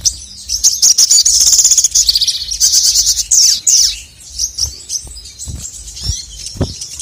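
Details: Male crested jay (sogon) singing to provoke rivals: loud sustained high chattering trills for several seconds, then scattered sharp notes and a few low thumps.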